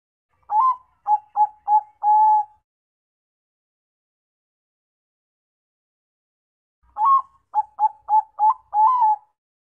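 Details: A zebra dove (Bangkok perkutut) gives two soft, mellow cooing phrases, each a quick run of about five clipped coos ending in a longer drawn-out note, separated by silence.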